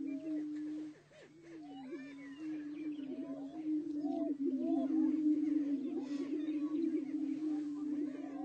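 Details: Greater prairie-chickens in Colorado give a droning chorus of low, hollow moaning hoots, overlaid with quick whoops and cackles from several birds, over a steady low hum.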